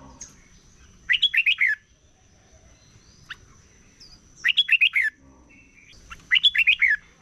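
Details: Morning competition singing by a red-whiskered bulbul; three well-spaced phrases, each a quick run of five or six sweet whistled notes dipping and rising, repeated about every two and a half seconds over a faint high hum.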